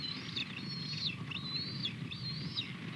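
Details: Osprey at the nest during the male's fish delivery to the female on a February 2020 morning; three drawn-out high whistles, each level and then dropping at the end, over low rumbling noise.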